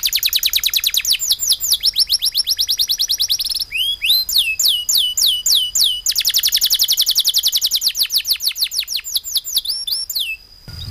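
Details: Singing canary in full long-breath song filled with rapid-fire notes: dense high trills, then a string of sharp falling whistles and more fast trilling, loud and continuous throughout.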